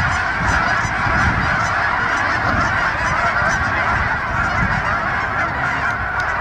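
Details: A large flock of geese taking off honks in a dense, continuous, overlapping chorus of nasal calls, with a steady rushing roar underneath.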